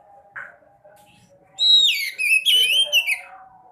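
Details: Sekoci (white-breasted woodswallow) lure sound for birds that won't sing: one short chirp, then a loud, continuous, harsh, wavering chatter of sliding and falling squeaky notes.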